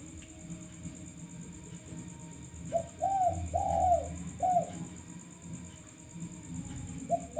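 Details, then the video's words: Male spotted dove used as a lure, calling a four-note phrase of soft, hollow coos midway, with a single further coo near the end. Persistent high whine and low rumble throughout. "Pancingan derkuku kuk 1"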